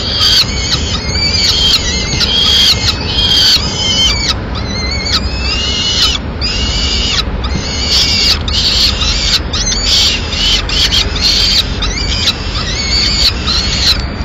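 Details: Peregrine falcons at their nest in Madrid, Spain, the male bringing a swift for the chicks: a long run of harsh, choppy wailing notes, densely packed with short pauses, over faint background hum.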